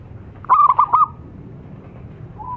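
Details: Local zebra dove lure recording for training captive birds: three or four short, staccato cooing notes near the same middle pitch in a quick burst, over a low steady background hum.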